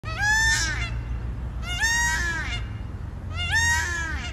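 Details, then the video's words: Peacock on a chalet roof in Scotland gives three loud, nasal, wailing screams, each rising then dropping, about every one and a half seconds, over a low rumbling hum. "Peacock Calls"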